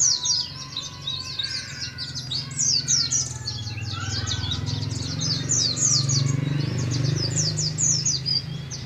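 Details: Young Oriental white-eye from Moga, Pemalang, Central Java, in a cage, beginning ngalas ngeroll singing; continuous rapid high chatter over a steady low humming background.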